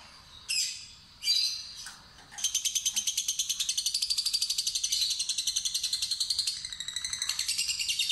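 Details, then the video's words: Young fighter lovebird being lured into its long chattering trill, the ngekek. After a few sharp, harsh chirps it launches into a fast, high, rattling trill of rapid even pulses lasting about five seconds, pauses briefly, then trills again. "Lovebird Fighter Ngetik Ngekek Terpanjang"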